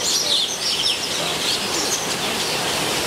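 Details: Metallic starlings at their nests in a zoo aviary in San Diego, a dense, busy chatter of high, thin chirps and short whistled squeaks overlapping continuously, with a steady hiss of background noise beneath.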